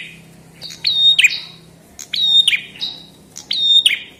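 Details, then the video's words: Chestnut-headed tesia recorded in 2022 as song for training songbirds: four high phrases, each a sharp tick leading into a long thin whistle and a short falling buzzy ending, with quiet gaps between. "Kicau Burung prenjak kepala merah"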